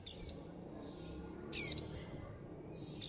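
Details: Nestling warbling white-eyes calling for their mother and flock, demanding food: two loud, very high, short falling chirps about 1.4 seconds apart, each stretching into a long thin buzzy whistle, with a faint low hum beneath.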